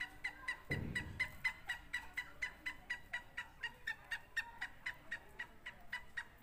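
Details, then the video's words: Francolin in a Sindhi and Punjabi bird contest: a long regular sequence of sharp, ringing notes about twice a second, interrupted near the start by a brief thump. "سندھی اور پنجابی تیتر کا مقابلہ"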